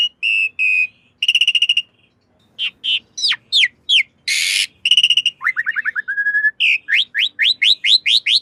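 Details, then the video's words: Master song of a Black-winged myna for cage-bird training, mixing steady whistles, rapid stuttering trills, downward-slurred notes and one loud harsh rasp, then a run of repeated sharp descending whistles. "Masteran Jalak Suren Anti Stress. Burung Pasti Nyaut"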